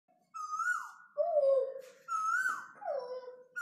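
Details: A cuckoo in a home backyard gives two falling two-note calls, a higher note sliding down to a lower hooting one, about two seconds apart, with nothing else heard.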